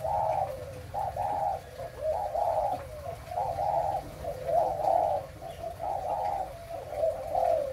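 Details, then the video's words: ["A 'mã phân hồng' spotted dove in breeding song gives a steady run of soft hollow coos. Each is a clipped note then a longer purring one, repeating roughly every second with little background."] "cu gáy sinh sản mã phân hồng"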